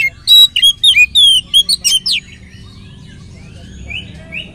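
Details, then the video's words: Oriental magpie-robin song played to coax other magpie-robins into singing; a quick run of loud clear whistles and sharp notes for two seconds, then near quiet with a few faint upslurred notes. "kacer gacor materi mewah pancingan kacer ikut gacor"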